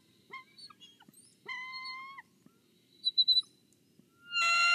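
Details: At a Kisatchie National Forest nest, a bald eagle standing guard over its egg, captured on a nest cam, gives level whistled tones, then a quick trio of sharp chirps and a loud, harsh, rising squeal at the end, with low background hum.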